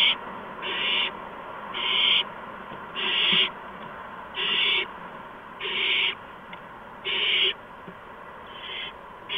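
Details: Owlets at a nest on the evening of March 13, 2015, as adults arrive with mice and a gopher. Strong, even hiss bursts repeat at a steady rhythm, about every 1.3 seconds, eight times in all.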